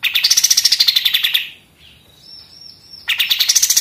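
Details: Pied triller in machine-gun song, recorded as a model for other songbirds: a quick descending run of sharp chirps, a quiet gap with a thin wavering whistle, then another rapid burst starting.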